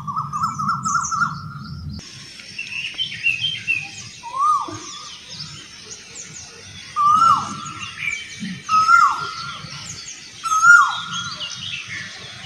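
Asian koel giving loud, clear two-part whistles, repeated every couple of seconds, over a busy chorus of high, twittering small birds.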